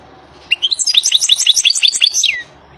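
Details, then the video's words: A wild European goldfinch sings a fast two-second phrase of sweet, liquid twitters and trills that ends on a downward-sliding note. "The song of the goldfinch"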